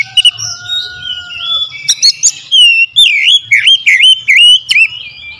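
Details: Oriental magpie-robin singing as a lure. It starts with soft high warbling over long steady tones, then builds into loud wavering whistles that dip and rise in quick succession, broken by sharp clicks.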